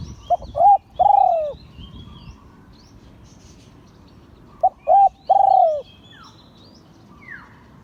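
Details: Crowing of an auspicious-line spotted dove in the Liu Tan style. The same phrase comes twice, about four seconds apart: two or three short, mellow coos leading into a drawn-out, gently descending coo. Soft high chirps and a falling whistle come near the end.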